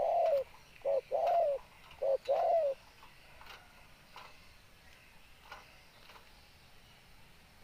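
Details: Spotted dove giving three soft, low, mellow coo phrases, each a clipped note leading into a longer falling coo. The calling stops after about three seconds, leaving quiet background with faint clicks.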